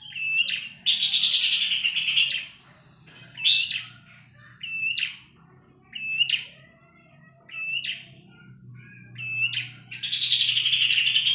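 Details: Horsfield's babbler heard on a tutor recording for songbirds: short, clear, upslurred whistled phrases repeat roughly every one to two seconds, set between loud bursts of harsh, buzzy chatter at the start and end.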